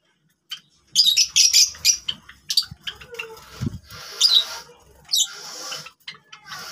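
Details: Several Java sparrows, also called Java finches, calling together: bursts of high, sharp chirps and squeaky notes in rapid clusters, pausing and resuming, with a brief low thump in the middle.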